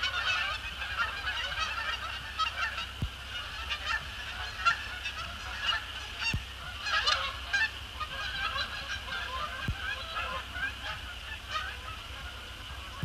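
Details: Flock of resident and migratory Canada Geese after sunset, flying in to land on Sapsucker Woods Pond: steady, overlapping honking from numerous birds throughout, with a few sharp clicks or knocks in the background.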